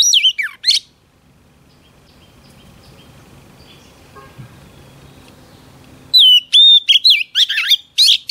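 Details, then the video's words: Female Oriental magpie-robin singing a mixed whistle-and-drum style song: bursts of sharp, rapidly sliding high notes and chirps at the start and end, separated by about five seconds of near silence with a faint low hum. "Chòe than mái HUÝT KÈM THÚC TRỐNG kích trống căng lửa"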